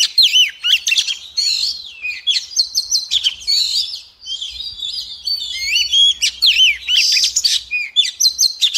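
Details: A female Oriental magpie-robin sings a fast, varied, nearly unbroken run of sweet high whistles, slurred notes and scratchy chatters, said to stir males into song.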